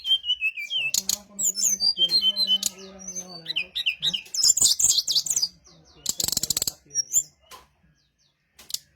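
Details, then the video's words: Brown-chested jungle flycatcher lure song to provoke answering birds: a long varied string of whistled slurs, chirps and warbles, broken by loud rattling click bursts, fading to scattered notes at the end. "SRDC Sikatan Rimba Dada Coklat - Pancingan untuk SRDC lain pasti nyaut"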